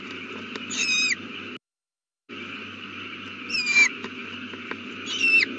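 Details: Owl calling at the nest after a chick hatched, evening of April 18, 2019, 8:32 pm. Three scratchy shrieks with a descending whistle inside, broken by a brief dead-silent gap, over background hum.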